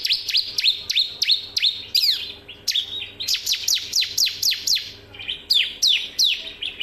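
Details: Bar-winged prinia training song, a long run of loud sharp downslurred chips repeated several times a second, broken by short pauses, with a faint low hum beneath.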